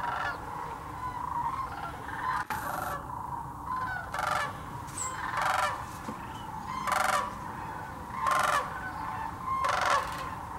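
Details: Migrating sandhill cranes massed at a Tennessee wildlife refuge in Birchwood: loud rattling bugles burst out roughly every second or two above a steady murmur of many more distant cranes calling.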